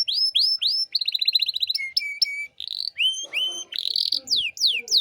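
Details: Canary in full 'gacor' singing with the 'cengkok mewah' (luxurious variation) style, used as a master recording to tutor young birds: rapid series of upslurred whistles, a fast rattling trill, steady flat notes, then sweeping downslurs.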